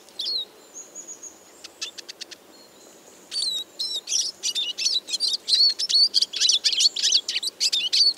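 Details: Eurasian siskin song: a few thin whistles and clicks open, then a rapid, dense twittering stream of high chirps and wheezy notes builds and runs continuously to the end.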